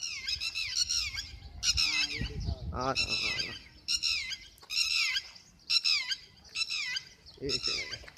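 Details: Red-wattled Lapwing calling in May 2022: piercing, shrill repeated notes grouped in short bursts roughly once a second, with a brief lower voice-like sound in the middle.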